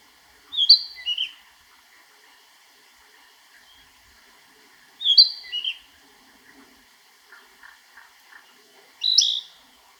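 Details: Narcissus flycatcher (Ficedula narcissina) singing in Niigata Prefecture, Japan: three short whistled phrases about four seconds apart, each a clear high note followed by lower warbled notes, with soft chirps between phrases.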